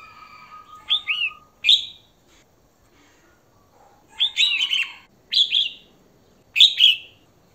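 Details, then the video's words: A female red-whiskered bulbul calls to attract a male, giving clipped, chirpy whistled phrases of a few curved notes, separated by pauses. A faint steady tone and soft background hiss are heard early on. "Chào Mào Mái Hót Kích Trống"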